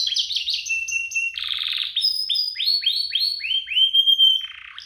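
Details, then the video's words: Two domestic canaries singing together, a recording meant to prompt other canaries to sing and to tutor young canaries; high sweeping whistles, then a buzzy trill, then a run of rapid falling notes about four per second. "Kompilasi DUO GACOR, cocok untuk pancingan kenari biar gacor, masteran kenari paud"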